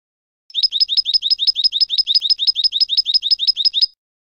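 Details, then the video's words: European goldfinch clean contest song for educating novice goldfinches: a long, very regular series of about twenty sharp, high chirps repeated rapidly and evenly for over three seconds in clean silence. "Canto Limpio del Jilguero | Chant chardonneret"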